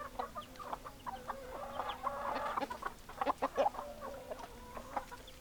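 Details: Several hens cluck together, a steady stream of short overlapping clucks with a few longer drawn notes, one bird's cackle rising briefly near the middle.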